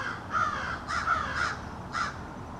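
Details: A rapid run of five or so harsh caws, some overlapping, from a small family of American crows in a backyard, each individual's call slightly different during their extended conversation.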